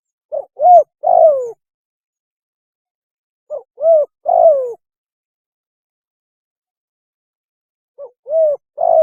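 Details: Mating call of a spotted dove, played as a hunting lure: a three-part coo phrase, a brief lead note then two hollow low coos, repeated about every three and a half seconds.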